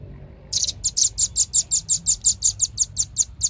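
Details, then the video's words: Velvet-fronted nuthatch: a steady, rapid series of thin, high chip notes, evenly spaced, about five per second, starting after half a second of quiet. "SUARA BURUNG RAMBATAN PARUH MERAH"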